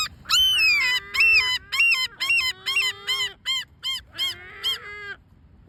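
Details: Great black-backed gulls making complaining sounds: a rapid run of short, loud, barking nasal notes, about two per second. The notes grow shorter and fainter toward the end, then stop.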